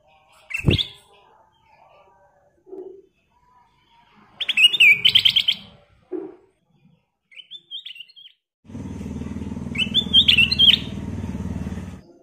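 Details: Golden-fronted leafbird in lively full song: short whistled, warbling phrases at intervals, each a quick run of slurred notes, with a low rumbling noise like a passing vehicle under the final phrase.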